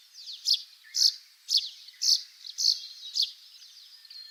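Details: A russet sparrow sings in Japan, where it breeds mostly in Hokkaido, giving a series of bright notes, about two per second, each a short buzzy chirp, with faint background twittering.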